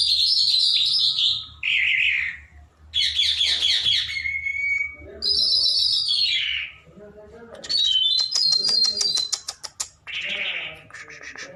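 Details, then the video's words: A trained, hand-tame lark sings a varied run of high, buzzy, slurred phrases and rapid chattering trills, with short pauses between bursts; a low room hum runs underneath. "A trained lark bird singing open and hand tame ایک آزاد جل پرندےکی خوبصورت آواز"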